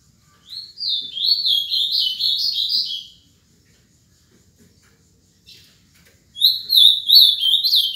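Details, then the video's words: Caged Ultramarine grosbeak, seven years old, Paraná: a clear, high warbling phrase of linked slurred notes for about two seconds, silence, then a second similar phrase starting. "AZULÃO PARANÁ"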